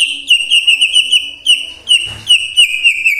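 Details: White-rumped shama singing a morning lure phrase to prompt silent shamas: a high, thin, steady whistle of quickly repeated notes with short breaks and a soft rustle midway.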